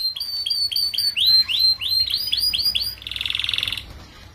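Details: Canary youngster in song, played to train group-housed young canaries to sing sooner; a series of high swooping chirps speeds up, then turns into a dense, buzzy rattling trill.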